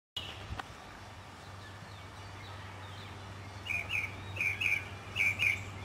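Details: Northern mockingbird singing in spring in a city neighbourhood in South Carolina, 2008; after a quiet start, short whistled phrases are each repeated in quick pairs, over a steady low urban hum.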